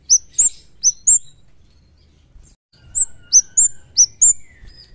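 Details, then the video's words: Javan kemade, known locally as cigen, in lively song like a wild bird: bursts of sharp, very high downslurred chirps in quick groups of two to four, a short pause, then a longer run with a faint lower whistle. "Suara Kemade Jawa/Cigen Gacor Seperti Dialam Liar"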